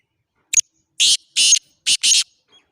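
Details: Harsh rasping phrase of a black francolin: one short sharp note, two drawn-out scratchy notes, then a short note run into a longer one, heard in total quiet.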